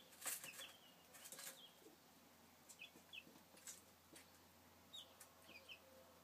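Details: Domestic chicks from 2013 give scattered short, thin peeps that drop in pitch, about seven in six seconds, over sharp tapping and clicking noises and a faint steady hum.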